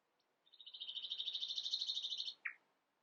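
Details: Common nightingale, described as mimicking a flock of other birds, delivering a rapid, dense trill of high notes that swells in loudness for about two seconds, ending with one lower, sharp note.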